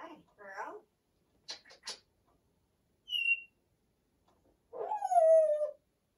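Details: Pet female Congo African grey parrot, 34 years old, chattering as she talks herself to sleep: mumbled raspy syllables, a brief whistle, then a drawn-out falling, nasal word-like sound.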